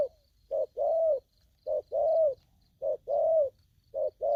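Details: Spotted dove, aggressive, giving short-then-long coos in steady rhythm, the longer note arching gently in pitch, four phrases in quick succession.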